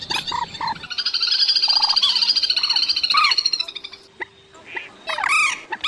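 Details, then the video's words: Rail calls used at night as a lure for net trapping migrating birds in August: a long buzzy, rattling trill held for about three seconds, with sharp short calls before and after it. Other birds call in the background. "Tiếng Quốc Mốc , Cuốc Bèo Trích Ré Tơ Bẫy Lưới Đêm Chim Di Cư"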